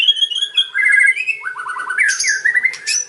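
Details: White-rumped shama in kretekan and ocean style, played to lure other shamas into answering: loud whistled notes sliding downward, then a fast run of rising chirps and sharp high flicks, steady and clear.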